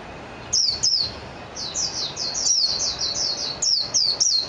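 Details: Japanese white-eye, known as mejiro, delivering bright high-pitched twittering song: short descending slurred notes strung rapidly together in several phrases, clear against a quiet background.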